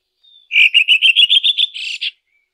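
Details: Red-throated thrush singing in nature: a loud phrase of about nine rapid, evenly spaced chattering notes that climb slightly in pitch, ending in a harsher buzzy burst, with silence around it.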